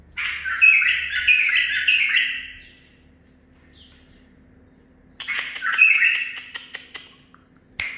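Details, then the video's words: Home-bred male bulbul aged nine months, singing phrases learned from another bird. Two lively warbled bursts of liquid, chattering notes are separated by a silent pause, with light clicks under the second burst. "مخلف تخريجي العمر 9 أشهر اخذ لسانات زلزال"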